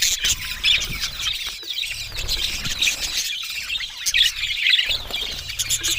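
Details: Group of budgies chirping and warbling: bright twittering notes and squeaky whistles overlap in a lively jumble, with some low rumbling background noise underneath.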